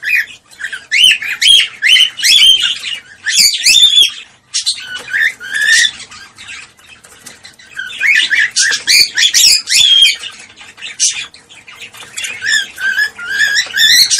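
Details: Cockatiel calls for encouraging mating: dense, continuous chattering of sharp chirps and short rising whistles in rapid runs, with two brief lulls between busy passages.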